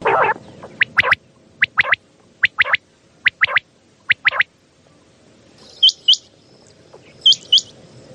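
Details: Common quail calling at night, a sound used to lure quail for hunting: sharp short notes in a single-then-double rhythm, repeated roughly every 0.8 seconds. High hooked whistled pairs follow near the end.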